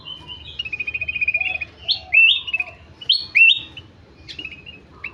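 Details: Ruby-throated bulbul (kutilang emas) singing energetically: a fast chattering trill of even notes, then loud rich whistled phrases that sweep upward, followed by a few sharper calls.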